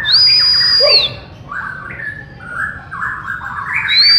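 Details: White-rumped shama (Copsychus malabaricus), Bornean form, song: a long, high, pure whistle held about a second, then varied slurred lower phrases, with a bright whistle returning at the end.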